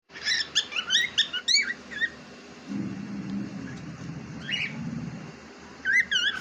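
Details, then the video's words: Pet cockatiel giving short bursts of high, harmonic chirps and rising-falling whistled notes at the start and end, with a low rumbling hum in the quieter middle stretch. "Cocktail Parrot Ne Kya Bol Diya"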